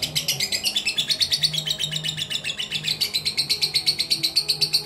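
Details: Contest lovebird of the fighter type with mentil character, pouring out an unbroken run of shrill, rapidly repeated chirping notes, roughly four per second, evenly paced and strong from start to finish.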